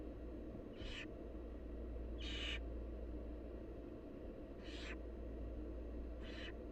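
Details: Barn owl nestlings, wild, begging as the mother brings food: four rasping hissed screeches, one to two seconds apart, one louder and longer than the rest, with a constant low background drone.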